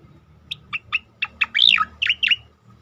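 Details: Cicakoreng, the striated grassbird, giving a tembakan-style phrase for masteran training: five clipped whistled notes spaced evenly, then a loud burry descending slur and two final emphatic whistled notes.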